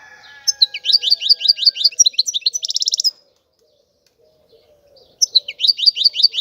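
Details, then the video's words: European goldfinch song of evenly repeated bright chirps rising to a buzzy trill, then silence and a fresh run of chirps; a soft low whistle is heard at the start. "تغريد الحسون"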